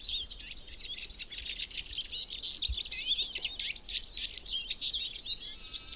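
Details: Eurasian siskin flocks roaming a spring forest in Berezinsky Biosphere Reserve, Belarus; a busy, continuous twittering of high chirps, trills and short wheezy notes from several birds.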